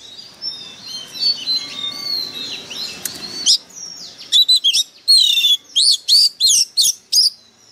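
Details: White-rumped shama, a decoy bird singing fiercely. Soft background chirping first, then a steady string of loud, sharp whistled notes and clear slurred whistles, roughly one or two per second.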